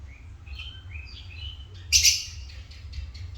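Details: African lovebirds giving soft thin whistled notes, then a sudden loud, harsh, shrill chirp burst near the two-second mark, followed by fainter scratchy chatter over a low steady hum.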